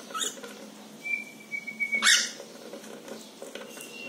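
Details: Pet cockatiels examining a nest box closely, recorded indoors with natural sound. A steady, level whistle holds for about a second, then breaks into a short, harsh, raspy burst. Faint scattered chirps sound before and after.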